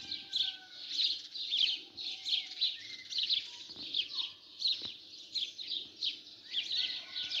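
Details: Early-morning sparrow chatter, a busy flock of high chirps pulsing in rapid bursts, joined by occasional thin whistled notes and faint low background noise.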